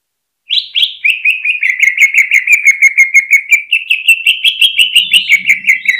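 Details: Cucak ijo, the greater green leafbird, hanging on its stand and pouring out a full hyper 'ngentrok' song to stimulate rivals: a continuous fast rattle of about thirty bright repeated notes at fairly even pitch.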